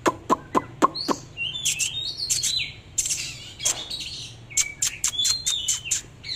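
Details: Oriental magpie-robin in display song, varied whistled phrases and slurred notes mixed with sharp clicking ticks at the start and scattered through, phrases coming in quick irregular bursts.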